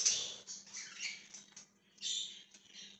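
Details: Short burst of budgerigar chirping from 1/20/2023: a sharp squeak, then a falling scratchy warble and, after a short gap, another harsh buzzy phrase, with a low hum throughout.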